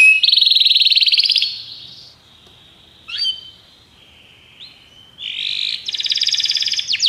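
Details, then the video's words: Belgian canary singing on a canary training recording: a loud buzzy trill, a long quiet gap with faint thin tones, then another loud rattling trill. "treinamento para canário belga"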